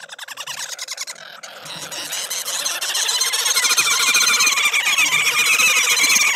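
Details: At a bird feeder in South Africa, a group of woodhoopoes gives a harsh, chattering territorial cackle with bobbing displays, about four notes a second, swelling from several birds into a frantic chorus.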